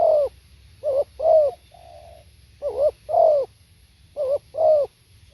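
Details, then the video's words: Spotted dove cooing in a steady series: paired short wavering notes then a fuller descending coo, a soft flat hum between phrases, three phrases in about five seconds, background quiet apart from low rumble. "เสียงนกเขาใหญ่ สด | suara tekukur"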